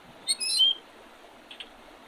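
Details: Spring birds by the Oredezh River, Leningrad Oblast, Russia, on 8 April 2023: a brief, bright whistled phrase sliding downward, then two faint chirps and quiet background hiss.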